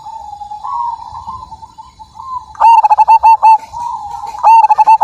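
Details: Frequent-singing zebra dove of the Majapahit type: soft rolling coos, then two forceful bursts of rapid, stuttering coo notes near the end, each with several clipped beats.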